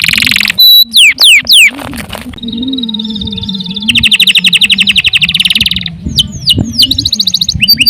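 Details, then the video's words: Energetic canary song for masteran, opening with loud burst notes and steep whistled downsweeps, then a held whistle, a fast buzzy trill and more sharp sweeps. A steady low hum runs underneath throughout. "CANARY GACOR PANJANG UNTUK MASTERAN LANGSUNG NYAUT"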